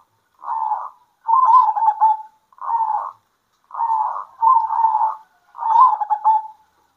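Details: Midday exchange between local zebra doves, six short bursts of purring, pulsed coos, some single and some doubled, with clear pauses between them.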